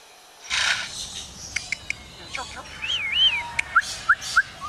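A lyrebird runs through mimicked sounds: a rushing burst, sharp clicks, a looping whistle, then three quick rising chirps about a third of a second apart.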